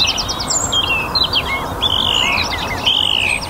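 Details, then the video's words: Loud, clear song of a song thrush in a North Antrim garden on a warm, sunny spring evening: bright whistled and chirping phrases, several repeated in close succession, over a soft background of other birdsong. "Song Thrush - evening chorus in my North Antrim garden."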